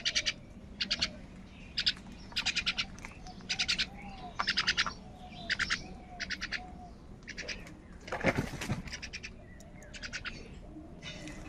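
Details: Many crows calling in the morning while fighting over food: harsh, buzzy calls in short bursts, repeated roughly every half second to second, with one louder rasping burst near the end and a steady low background hum.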